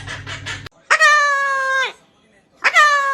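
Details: Parrot kept as a pet, giving two drawn-out, nasal, harmonic-rich squawks, the first lasting about a second and the second cut short, after a short burst of speech-like sound at the start.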